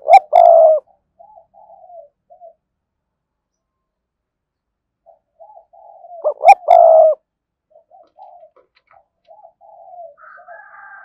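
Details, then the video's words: Spotted dove kept as a decoy, cooing strongly: a loud phrase of short notes and a long coo, soft low coos, a pause, then the loud phrase again with faint higher tones near the end. "Tiếng cu gáy mồi chuẩn, con mồi có giọng thúc hay và sung"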